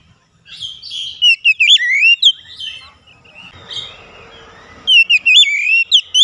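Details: Song of an oriental magpie-robin used to prompt reluctant, untrained birds to sing: two spells of sweet, twisting whistled phrases with quick pitch sweeps, broken by a grating buzzy noise in the middle.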